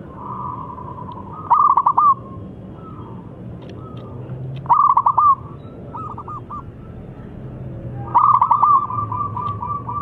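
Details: Local zebra dove in full song, a lure to draw silent doves into singing: three loud bursts of rapid, stuttering, rolling coos near two seconds, five seconds and eight seconds, with softer, fainter cooing phrases between them.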